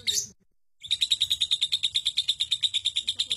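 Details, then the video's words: Caged lovebird kept for song contests, delivering a long ngekek trill: after a short squeak and a pause, high chattering notes repeated evenly about seven times a second, shrill and sustained. "Suara Lovebird ngekek super panjang durasi 7 menit up"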